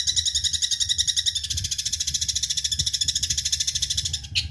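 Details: Eurasian tree sparrow, used as songbird training audio, giving a sustained, fast, shimmering trill of evenly repeated high pulses over a soft low rumble, closing with one abrupt harsh burst.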